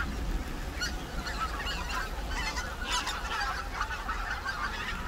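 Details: Large flock of greater white-fronted geese wintering on the Cheorwon plain, Korea: unbroken mass of overlapping yelping honks at mid pitch, with a low background rumble.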